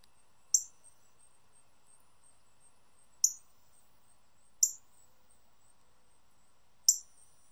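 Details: A bright red male northern cardinal in a backyard gives four sharp, high, metallic chips, spaced irregularly one to three seconds apart, over a faint steady background hum.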